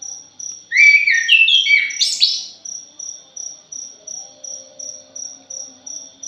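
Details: Punglor, a thrush, sings a dense, chattering phrase of sliding whistles and harsh upward sweeps for under two seconds, followed by a regular high insect pulsing that continues steadily to the end.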